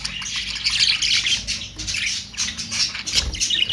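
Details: Budgerigar (Australian parrot) chattering: a dense, continuous stream of high, scratchy chirps and warbles in overlapping bursts, with short dips between phrases.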